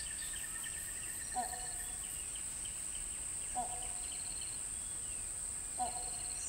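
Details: Great hornbill (great Indian or great pied hornbill) calling three times with short, rough, harmonic honks spaced roughly every two seconds, over a continuous shrill insect drone and light background bird twitters.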